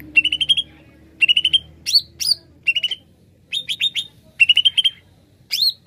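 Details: Singing greater green leafbird used to attract wild birds: rapid trills of five or six bright notes alternate with swooping whistled calls, in regular bursts with short pauses.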